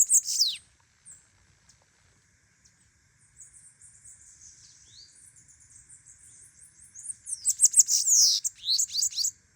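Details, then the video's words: Bananaquit singing persistently: a sharp hissing burst, then a long thin, very high twittering chatter that swells into a loud, rapid buzzy trill of quick falling notes at the end. "Sibite Gto cantando muito"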